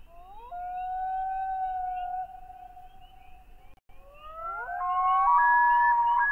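A Common Loon gives a long, haunting wail that slides up and then holds a steady pitch, followed by overlapping, rising higher notes.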